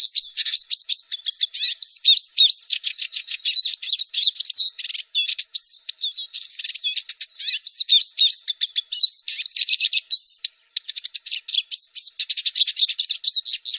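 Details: Eurasian siskin lure recording: a fast, nearly unbroken twitter of high chirps, short trills and thin buzzy notes that runs for about fourteen seconds, with a brief gap near the tenth second and no other sounds.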